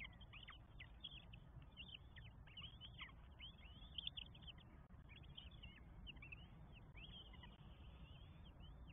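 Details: Nest of four northern goshawk chicks in Estonia, May 2022, calling as an adult feeds them: many high, piercing squeals, some rising and some falling, overlapping steadily, with heavy low-pitched background noise.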